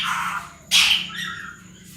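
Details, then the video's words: Pet parrot that talks in Sindhi and Urdu gives a single loud harsh squawk after a softer voiced sound, then a fading tail, with low hum behind. "funny talking parrot, sindhi bi bolta ha urdu bi"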